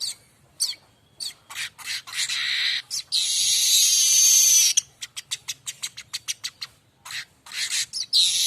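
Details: Streaked weaver in lively, varied song, used as a tutor recording for oriental magpie-robins and other songbirds: high buzzy, scratchy chatter with a long sustained wheezy trill, then rapid clipped ticking notes before buzzy phrases return.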